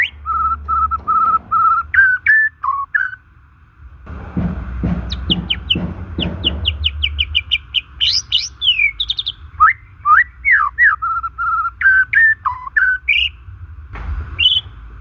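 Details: White-rumped shama singing naturally, used as a lure for shamas that stop singing or are stressed: steady repeated whistles, a run of rapid high sweeps and sharp clicks, then varied slurred phrases over a faint hum.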